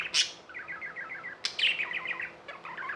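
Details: Tamed budgerigars giving a sharp squeak, then rhythmic trains of short rising-falling chirps, another loud click midway, and more rapid warbled chatter.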